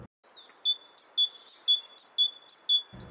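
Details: Great tit singing an energetic, bright, metallic two-note phrase, high then slightly lower, about twice a second; a brief low thump at the end, possibly the distant tapping on a tree that a woodpecker or something similar was heard making.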